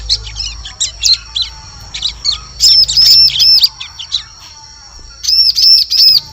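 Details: Ciblek lure sound for luring birds in forest: quick scattered chirps building into runs of four arched high notes, repeated after a pause, with a steady faint high tone beneath.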